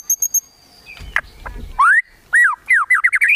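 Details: White-rumped shama singing kretekan tembakan to provoke rivals: three quick high chirps, a few clicks, then loud slurred rising whistles and a rapid run of short swooping notes.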